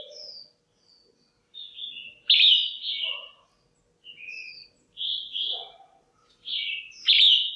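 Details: Call of a caged female red-whiskered bulbul, used to stimulate males or for pairing: bright slurred whistles and sharp accented notes in quick irregular phrases, with soft lower chattering notes between them.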